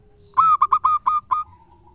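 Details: Local zebra dove used as a lure bird giving a brief burst of seven cooing notes, two quick staccato beats followed by longer rounded ones, ending with a faint trailing tone in a quiet setting.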